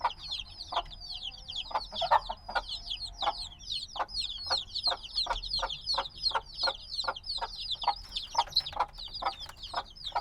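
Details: Black baby chicks hatched a few days ago, still needing warmth from their mother, peep noisily: a dense chorus of high, downward-sliding chirps overlapping continuously, with rhythmic soft tapping thuds roughly twice a second underneath.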